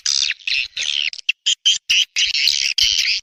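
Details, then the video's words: Swiftlet lure call of the 'Raja Kalimantan' style from Borneo, used to attract swiftlets: a series of harsh, buzzy chirps, each lasting a fraction of a second, repeated in quick succession with short gaps and a few brief ticks between them. "SUARA PANGGIL BURUNG WALET‼️ SP RAJA KALIMANTAN ‼️Suara Asli Pulau Borneo"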